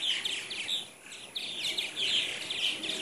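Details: A morning flock of about 75 purple martins in Katy, Texas, in 2014, shortly before migrating back to Brazil, makes a busy chorus of gurgling, chirping calls whose high notes overlap continuously.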